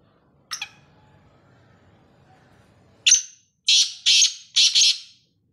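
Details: Black francolin call: a short faint note, a few seconds of low background hum, then a sharp rising note and four loud, grating notes grouped in two close pairs.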